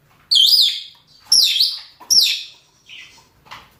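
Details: Shrill screeching calls of male and female rosy-faced or Fischer's lovebirds calling for mating, three strong harsh squeaks in quick succession followed by two softer, lower chirps, in a quiet indoor setting.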